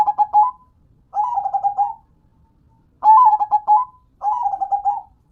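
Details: Zebra dove, a local perkutut, singing: four bursts of rapid stuttering coos followed by a drawn-out trill, repeated about once a second with short pauses between phrases, clean and without background noise.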